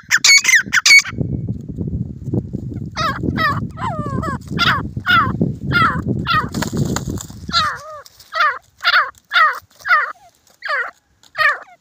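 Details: Fighting grey francolin: a loud opening call, then a stretch of low rumbling noise with short, clipped notes, followed by clear, evenly spaced harsh calls about every half second.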